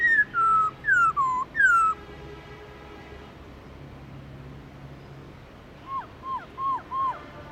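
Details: Black-throated laughingthrush giving its wild-type song of loud, clear descending whistles, three in quick succession, then a softer series of four or five shorter falling notes.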